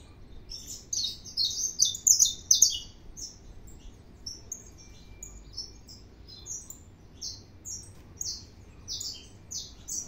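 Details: Saffron finch singing a lot: an extended series of sharp, high chirps and short buzzy notes, bunched densely at first, then spaced more evenly, against a quiet background.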